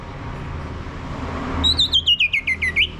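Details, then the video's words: Orange-headed thrush, recorded to prompt a male's ngeplong singing, gives a rapid series of about nine identical down-slurred whistled notes over roughly one and a half seconds against steady low background noise. "ANIS MERAH Mau Berbunyi Ngeplong"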